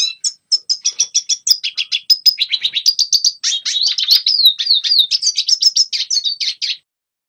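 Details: Training song of a red siskin for young birds: a long, fast chattering twitter of high clipped notes, in places run together into sweeping warbled slurs, stopping abruptly before a short silence at the end.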